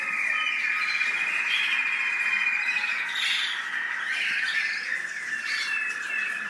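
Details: American singer canary, UAE, singing a long held whistled note for about three seconds, then shifting into faster warbled and trilled phrases that rise and fall in pitch.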